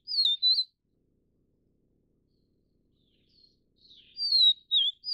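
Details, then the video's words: Subspecies vivida of the vivid niltava, found in Taiwan: the end of a wavering whistled phrase, a long silence with faint soft notes, then a fresh falling whistle and dipping note. "黃腹琉璃/Vivid Niltava"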